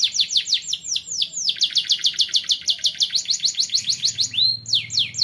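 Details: Young canary singing, used as a training song to get other young canaries to sing more: fast rolling trills of repeated downslurred high notes, about three per second, ending in a few slower sweeping whistles.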